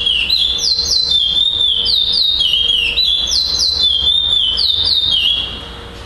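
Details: Curió, the chestnut-bellied seed finch, first-place singer at a December 2011 competition in Florianópolis, Brazil; loud whistled phrase repeated about every second, each a quick rising note falling into a level whistle, fading near the end.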